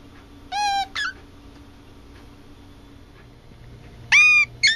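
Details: Rescued, injured captive brown-eared bulbul kept beside a parakeet, mimicking the parakeet's words "Mē-chan": two pairs of loud, nasal, harmonic-rich phrases, a longer note then a short one, three seconds apart, over a faint hum; the very first sound is human.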